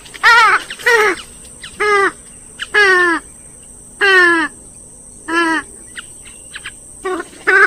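Swamphen giving loud, nasal, harsh honking calls, about seven bursts in eight seconds, each slightly descending; a steady high insect whine runs underneath.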